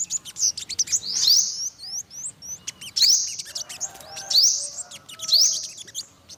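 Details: Olive-backed sunbird, yellow-bellied: short high rising whistles given in separate bursts about once a second, with small chips in between.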